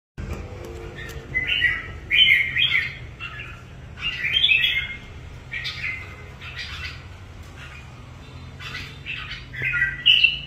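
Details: Red-whiskered bulbul, a kept songbird being prepared for an upcoming singing competition, sings bright, warbling whistled phrases in bursts of about a second, some rising and some falling, separated by short pauses, over a low steady background hum.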